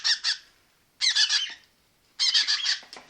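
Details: Baby red-rumped parrot giving harsh, raspy chattering bursts, each made of several rapid squawky pulses, repeated about once a second with short silent gaps.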